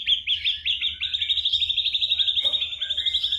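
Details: Ashy drongo imitating other birds, a recording meant for songbird training; a rapid, steady series of short high chirps, about three per second at first then quickening into an even chattering trill, with one faint click.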